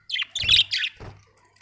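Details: Budgerigars, several birds, letting out three quick harsh, raspy squawks in succession, followed by a short fading tail.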